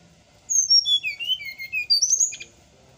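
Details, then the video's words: Heard in the morning, a bird sings for coaching silent cage birds: a two-second ribbon of clear whistles stepping down from very high to mid pitch, finishing with a buzzy high twitter, against a faint low hum. "suara srdc di pagi hari"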